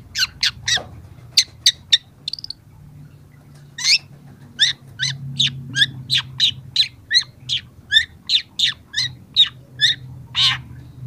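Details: Training recording of a young long-tailed shrike: harsh, scratchy high notes delivered in a long, fairly regular series about two per second after a brief opening burst, with a low steady hum beneath.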